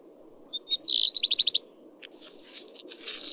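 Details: Common redstart (Phoenicurus phoenicurus) song: a couple of thin opening notes, then a quick series of about six sharp, high, evenly spaced trilled notes, followed by softer scratchy twittering, over low steady background noise.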